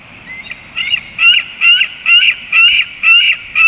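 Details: At 19:09 a young eagle gives a steady series of high, thin squealing calls, about two a second, each a quick chittering note, as an adult eagle flies away.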